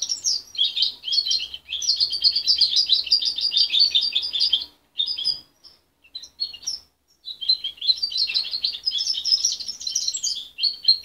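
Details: Caged juvenile goldfinch hybrid, reared by its mother until 23 days, practising an immature song: long runs of high, rapid chirps and trills, a pause with a few scattered notes, then another sustained twittering phrase.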